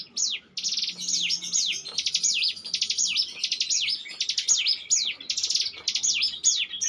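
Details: Bar-winged prinia singing ngebren style as a lure bird, a dense run of high buzzy trills mixed with swooping falling whistles, nearly continuous with short gaps.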